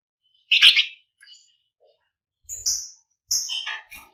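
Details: Flamboyan bird singing in a lively, rapid style used to prompt other birds to sing: sharp chirps and buzzy high notes in short bursts separated by pauses.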